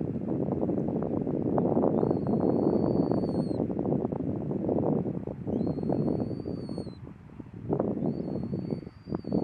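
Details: Caspian tern, or Taranui, adult with juvenile out at Waikanae estuary. Three long, thin, high whistles, each held steady for over a second and ending with a slight upturn, sound over loud, constant low rumble from wind.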